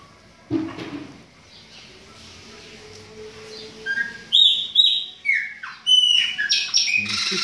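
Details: After a few quiet seconds with faint talk, captive chopi blackbirds burst into a string of loud, slurred whistles, roughly two each second, in an aviary being prepared for breeding.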